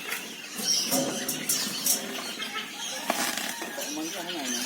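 Common hill myna giving harsh, squeaky notes and a short wavering, speech-like phrase near the end, over a hiss of high background noise.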